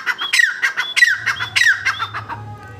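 A grey francolin gives loud, harsh, squeaky notes, repeated about every half second in a ringing series, over a faint low hum.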